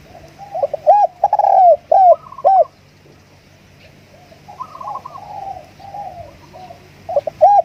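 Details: Spotted dove used as a decoy bird, giving a lure song of rounded mid-pitched coos. A quick run of four or five notes is followed by a pause, then softer, longer coos and a final pair of sharp coos.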